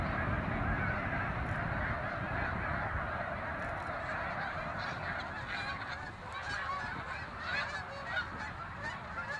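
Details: Migrating snow geese, loud crowded honking at first that thins slightly midway, individual sharp barking yelps then standing out more clearly against the flock's steady chorus.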